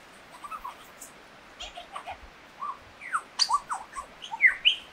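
A lyrebird runs through a varied medley of short chirps, clear whistles and quick rising and falling sweeps, the phrases changing every fraction of a second.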